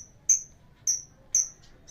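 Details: A lovebird, used as a lure to get other birds singing, gives three piercing high chirps about half a second apart. Each is a short, clean, whistled note over a faint low hum.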